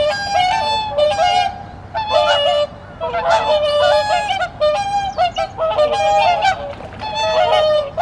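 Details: Whooper swans newly arrived for the season at Ikehana pond, Omitama, Japan, on 24 November 2025. Several birds give loud, bugling honks with rich harmonics, overlapping in bursts and repeated every second or so.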